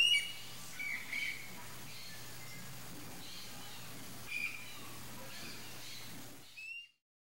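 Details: A young red-and-green (green-winged) macaw, ready to leave the nest, in Brazil, gives about five short, harsh squawks at irregular intervals, over a steady low hum and a wash of background noise.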